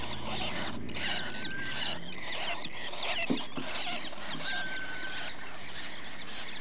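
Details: Rosy-faced lovebird chicks kept as companion birds, recorded 13 November 2015, give a steady raspy chittering, with a few thin whistled notes rising out of it and soft rustling throughout.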